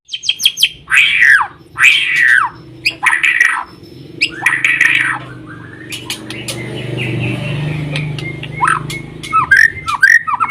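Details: Raspy, loud shama phrases open the recording in quick succession, then a lull filled with low rumbling background noise, then brisk, varied whistles and chirps from the white-rumped shama.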